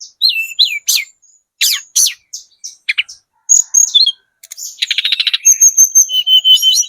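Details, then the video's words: Spotted Sunda robin singing as a lure to provoke replies from other birds: separate sharp downslurred notes and chips, then a fast buzzy rattle and high whistled phrases. "PANCINGAN TLEDEKAN GUNUNG TROTOL SUPER GACOR, burung manapun pasti nyaut"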